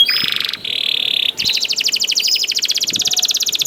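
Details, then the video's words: Prompting song of a young canary: a short buzzy trill, a steady level buzz, then a rapid even rattle of high notes. "KENARI GACOR DOR NGEDUR NGOTOT CUIT CUIT NGEROL AMPUH PANCINGAN KENARI PAUD"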